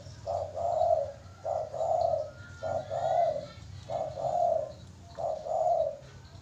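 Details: Zebra dove singing: four soft, low cooing phrases, each a short note followed by a longer rolling coo, repeated about every 1.3 seconds.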